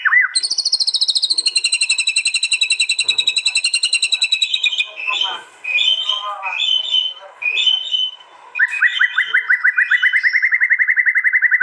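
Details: Murai batu (white-rumped shama) at a contest in East Java, recorded by Android phone, firing its aggressive 'tembakan'. A long high rattling trill, then varied chattering phrases, then a fast series of upslurred notes repeated several times per second.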